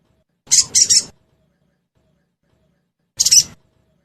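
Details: Lure sound of a sogon meant to prompt a caged bird to answer. A quick double rasping burst, then a single grating note about two and a half seconds later, in a quiet background.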